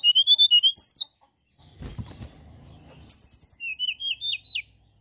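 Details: Mountain tailorbird, a vigorous singer used as a lure to provoke other birds: a run of high, thin whistled notes, then a sharp falling slur. A short rustling thud comes midway, followed by rapid, very high paired notes and rising whistles.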